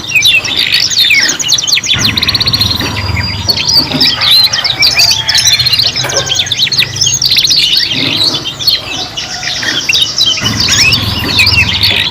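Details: Three young canaries singing together for youngsters learning to sing: dense overlapping high warbles, rapid buzzy trills and rising-falling whistled notes, nearly continuous, with a steady low hum underneath.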